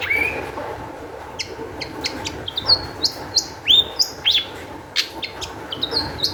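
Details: Long-tailed shrike singing with high emotion as a lure for other shrikes: scattered sharp ticks and short upslurred and downslurred whistled notes, loosely spaced, over constant background hiss.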